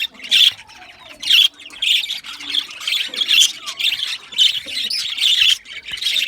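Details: Budgerigars, the small Australian parrots, give loud harsh squawks about once a second over a steady bed of softer chirping and warbling from other birds.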